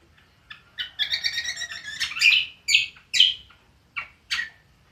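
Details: Cucak kombo singing in the ngriwik style: bursts of sharp chirps and short buzzy notes, clustered then spaced roughly every half second, bright and high-pitched over a quiet background.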